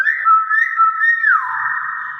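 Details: Common hill myna, a kept mimic, producing a long, loud, steady whistle with small wobbles, sliding down near the end into a sustained lower tone, people encouraging it afterward.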